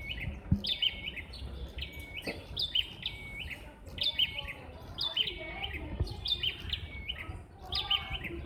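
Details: Several bar-winged prinias answer one another in rivalry, each trying to sound louder. Crisp high chirped phrases overlap in a steady exchange, about one burst per second, over a soft, low background hum.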